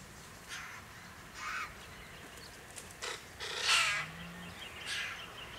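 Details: A White-winged Chough clan filmed in October 2018 in the Capertee Valley, NSW, in open forest, woodland and farmland: a series of short grating, rasping calls, five bursts in quick uneven succession against a noisy outdoor background.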